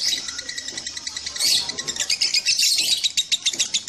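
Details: Lovebird song among three birds; quick rattling series of shrill chirps, bursting into a louder dense flurry near the middle, then continuing as rapid pulsed notes.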